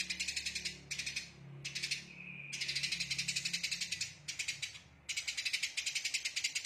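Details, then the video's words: A Eurasian tree sparrow, recorded as a tutor recording of dense rapid-fire song, gives chattering bursts of harsh, high notes, about eight a second, broken by short pauses; a faint low hum runs underneath. "Rapatnya Tembakan Burung Gereja"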